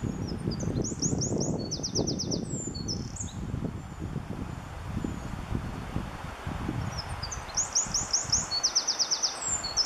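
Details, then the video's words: A singing male Eurasian Wren in the Oliwa Forests pours out a loud, high, rapid song of sharp notes and fast trills, repeated twice, over a low rumble of wind or rustling. "strzyżyk (Troglodytes troglodytes)"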